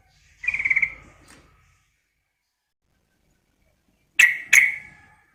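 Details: Female Sooty-headed bulbul, calling to a male, gives a short buzzy pulsed burst, then after a long pause two sharp, bright clipped notes close together.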